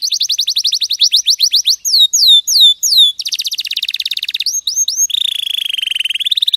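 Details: Canary training song: fast rattling trill of repeated notes, then looping down-slurred whistles, a dense buzzy roll and a sustained high trilled phrase, all high and clean.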